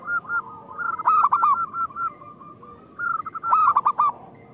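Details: Zebra doves of a local strain, whose song serves as a lure for reluctant singers: continuous short coos underlie two bursts of fast, arched, rolling notes about three seconds apart, several birds overlapping.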